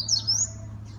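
Rusty-collared seedeater giving a brief burst of high, thin whistled notes that slide and warble for about half a second, over a low steady electrical hum.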